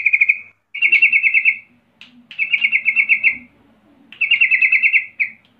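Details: Yellow-vented bulbul in full voice, its call used to make other bulbuls answer noisily: three bursts of rapid, even, bubbly trilled notes at a steady high pitch, separated by short pauses, with faint low chatter underneath.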